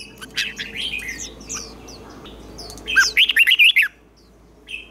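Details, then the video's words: Red-whiskered bulbul in competitive singing, played for training other birds: a burst of quick, liquid warbled notes near the end, rising and falling in short loops, after scattered fainter chirps and a low steady hum. "Chào Mào Hót Đấu"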